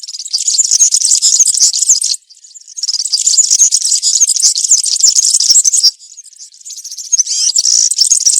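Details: European serin delivering campero-style song in woodland for training juveniles: long, rapid, squeaky jingling phrases of two to four seconds, separated by short quiet breaks, staying very high and buzzy throughout.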